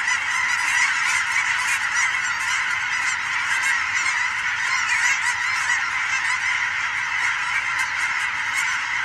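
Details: Huge flocks of geese migrating over Oregon on a fall evening alongside sandhill cranes, heard as a loud, constant mass of overlapping honks from many birds at once.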